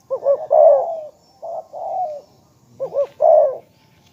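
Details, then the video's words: Spotted dove cooing: three loud phrases, each a quick looping double note followed by a longer, rough, falling coo, with short quiet gaps between them. "นกเขาใญ่ ,เจ้าพายุเสียงทอง,เรียกหมานๆ100%"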